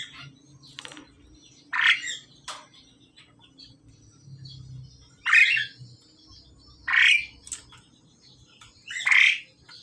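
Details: A male and female pied myna being paired up call with loud harsh squawks roughly every one to two seconds, with quieter clicks and a low hum beneath.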